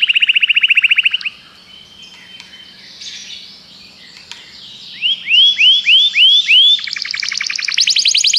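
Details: Common canary singing: a fast rolling trill, a quieter pause with faint notes, then a series of loud rising whistled upsweeps and a closing high buzzy trill.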